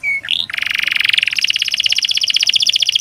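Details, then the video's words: Canary singing for young birds learning to sing: a short whistle and upward slur open a long, fast, buzzy rolling trill that pulses roughly four times a second and stays loud to the end. "KENARI malas bunyi, Terapi burung macet/susah bunyi masteran kenari"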